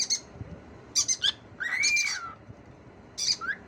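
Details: Cockatiel talking: harsh scratchy chatter bursts, then a long arched whistle that rises and falls smoothly, followed by more raspy syllables and a short downward whistled slur.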